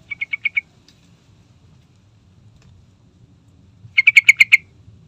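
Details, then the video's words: Sooty-headed bulbul (trucukan) song used as a lure to set other birds singing: two bursts of five quick, bright, clipped notes in rapid series, one at the start and a louder one near the end, with a quiet low hum between. "Pasti Nyaut III Dengar Trucukan Gacor Full Isian"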